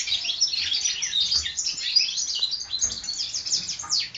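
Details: Four-month-old European goldfinch hybrids from the 2012 season singing a dense, rapid twittering song of bright chirps and trills that overlap continuously, high-pitched throughout with no other sounds.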